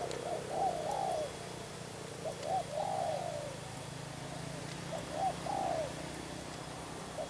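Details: Captive spotted dove kept as a decoy bird, giving soft mellow coos in three short phrases, each a couple of quick notes followed by a longer drawn-out note, spaced about two seconds apart over a steady low background hum.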